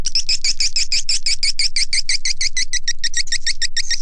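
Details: Lure call for attracting swiftlets, as played by swiftlet farmers: quick, evenly spaced high clicking chirps, about six or seven each second, continuing without pause for the whole stretch.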